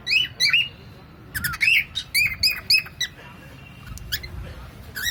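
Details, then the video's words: Pet cockatiel making funny sounds: rapid bursts of bright, bending chirps and squawky notes, several in quick succession, then a pause and a few scattered harsher calls. "Funny sounds by Jackie the cockatiel"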